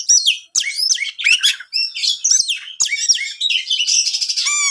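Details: Fast, loud song of a champion kacer, the Oriental magpie-robin, meant to excite rival magpie-robins: clipped whistles, downward slurs and scratchy phrases, ending in a rapid buzzy trill and a low whistled note.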